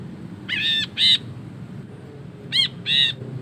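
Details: Ashy bulbul chattering ngekek song intended as a master: two pairs of drawn-out, nasal, buzzy notes, each pair about a second long, separated by a short quiet gap with low hum.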